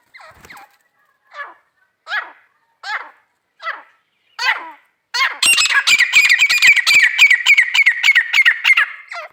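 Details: Female grey francolin voice: several spaced, sharp squeaky notes, then a loud, rapid, continuous chatter of harsh shrill notes lasting about four seconds.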